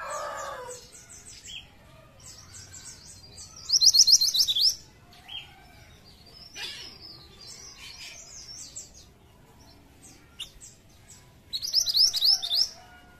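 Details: Pied triller song used as a lure for flocks of pied trillers: two loud, rapid trills of about eight sharp high notes, set among thin high chirps and whistles from other birds, with a brief lower buzzy burst at the start.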